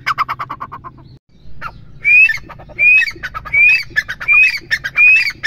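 A female partridge gives a quick run of harsh, stacked notes, then loud squawky calls with a short rising whistle, repeated about every three-quarters of a second.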